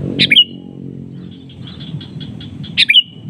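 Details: Sooty-headed bulbul giving a calling note meant to draw a rival into answering; two loud bright notes with falling tails open and close the sequence, linked by a run of soft quick chips over low background rumble.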